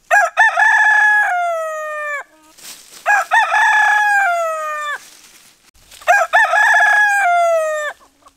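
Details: Rooster crowing, offered as a wake-up call: three full crows about every three seconds, each opening with short stuttered notes, then a long harmonic-rich held note that slides downward at the end.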